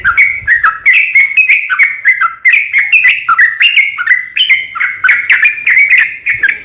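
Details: Sooty-headed bulbul pouring out a long, fast fighting song to draw other bulbuls into singing: continuous chatter of sliding whistled notes laced with sharp clicks, loud and unbroken.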